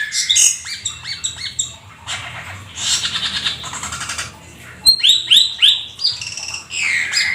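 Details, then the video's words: Energetic Black-winged starling song full of imitated phrases: rapid stuttering chirps, a harsh buzzy rasping stretch, then bright upslurred whistles repeated several times before more squawks. "Jalak Keling gacor full isian si burung langka nan EXOTIS"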